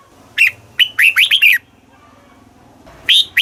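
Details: Southern master-style song of a red-whiskered bulbul in Thailand, played to rouse caged birds and teach young birds. One lively phrase of clipped, rising-and-falling whistled notes, then silence before another phrase begins.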